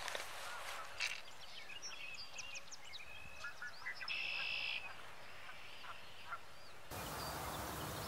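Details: Tree swallows in Ontario, Canada, on 25 September 2017 give thin, high chirps and liquid twitters in quick, irregular bursts, with a steadier nasal note midway and a rush of noise at the end.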